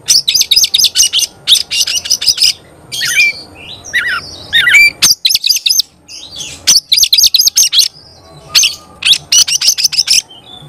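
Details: Oriental magpie-robin in energetic gacor singing said to rouse other magpie-robins: bursts of rapid, high repeated chipping notes, each lasting about a second, separated by short pauses, with some brief whistles in between.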